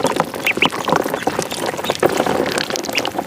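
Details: Duckling in a pond giving a few short, high, arched peeps in quick pairs, with steady splashing and dabbling water throughout.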